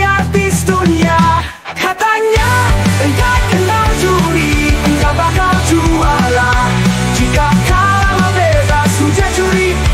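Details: Loud, dense rock music with heavy low bass and distorted guitars, briefly dropping out near the two-second mark, with no animal sound.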